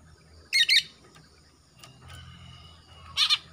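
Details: Young male greater green leafbird from Kalimantan, just out of spotted juvenile plumage and black on the front of the throat, an untrained bird that sings actively; a harsh buzzy double note, a faint whistled line, then another rasping double note.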